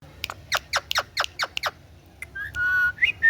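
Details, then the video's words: Green ringneck parrot talking: a quick run of six raspy, syllable-like notes, then a few clear whistled tones, one held steady and one rising sharply. "Talking Parrot Clear Sound"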